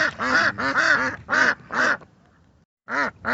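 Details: Ducks in a natural setting, a few loud harsh quacks in quick succession, a pause of near silence, then another quack starting up.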